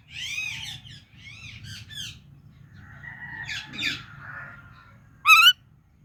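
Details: Talking Indian ringneck parakeet making its natural sounds: a run of rasping harmonic chirps, a drawn-out scratchy note, then one sharp, loud squawk, with a steady low hum beneath.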